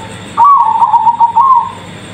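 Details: Zebra dove of the Bangkok type singing one short phrase: a higher opening coo followed by quick rolling pulsed notes that fade out after about a second, over a faint steady hum.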